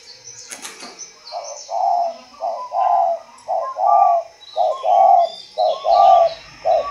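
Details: Spotted dove from a breeding facility cooing: a steady series of low, hollow coo notes in short two- and three-note phrases, roughly one per second, with a faint knock at the start and background hiss.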